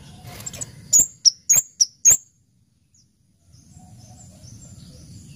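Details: Orange-headed thrush giving a quick series of five clear, high, sharp whistled notes over roughly one second, set between stretches of low rumbling background noise.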